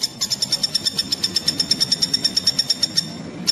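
A common flameback gives a rapid, even series of high, sharp notes, about eight a second, lasting over three seconds, with a low hum underneath.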